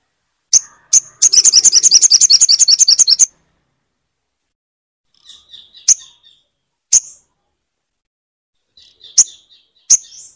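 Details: Crimson sunbird, played to make a silent bird sing: two sharp high chips, a dense two-second trill of rapid buzzy notes, then spaced thin high chips with soft twittering between.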